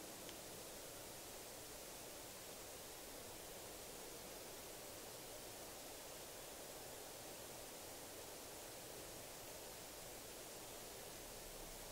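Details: Only a steady, even hiss of broadband noise is heard, with no animal calls.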